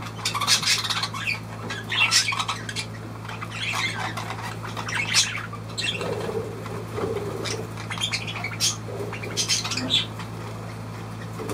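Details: Budgerigar giving a run of sharp, scratchy chirps and squawks in irregular bursts, some with a lower warble, over a steady low electrical hum.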